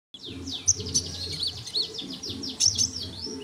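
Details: Sunbird singing energetically in a tutor recording for training songbirds: a rapid, continuous run of thin, high twittering notes and quick downward sweeps, with a few sharper accented chirps, over a steady low hum.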